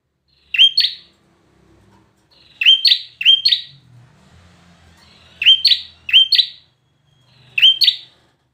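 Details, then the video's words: Loud two-part notes from a bar-winged prinia, a high clear chip followed by a rasping buzz, given singly or in pairs and triplets with irregular gaps between phrases. "PRENJAK KLAWU PRESTASI"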